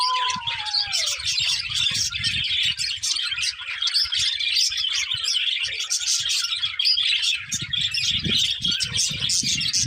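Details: Budgerigar breeding pair chattering nonstop: busy, scratchy high twitters and chirps from multiple birds, a short falling whistle near the start, and low thumping noise underneath.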